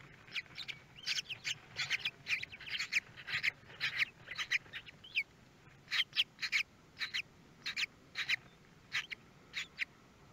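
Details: At a Théding, France nest webcam on 24 May 2022, with the third and fourth kestrel chicks hatching: a long series of sharp scratchy notes, in uneven bunches of two to four, separated by brief pauses.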